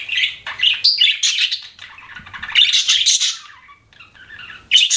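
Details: Budgerigar giving a mix of warbling chirps, squeaky notes and short rasping phrases, busy at first, quieter near the end, then a sudden bright chirp.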